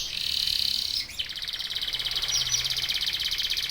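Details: Local domestic canary in intense song, meant to prompt other canaries to join in: a sustained buzzy rolled trill, a short break, then a continuous fast high rattle.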